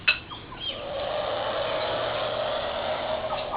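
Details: A bush stone-curlew at Oak Beach near Port Douglas, Far North Queensland, gives one long, steady, breathy hiss lasting nearly three seconds after a brief sharp note, sounding unhappy or disturbed.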